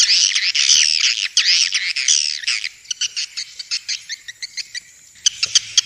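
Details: Swiftlet calls recorded in Vietnam and used to attract the birds to bird houses: loud wavering, slurred high twitters for about two seconds, then scattered short chirps.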